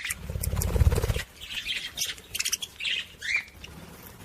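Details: Budgerigar sound aimed at stimulating other budgies: a low thumping noise at first, then short squeaky chirps and one rising whistled call.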